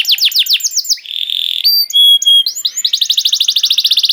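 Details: Singing canary, used as bait so other canaries start singing: quick descending whistled sweeps, a sustained buzzy note, clear pure whistles, then a rapid even rattle of repeated notes.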